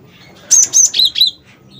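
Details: Cinereous tit (gelatik batu, wingko type) singing, used as a lure to get other birds singing: a quick run of four sharp, high whistled chirps, the first two higher and the next two lower, in a clean recording.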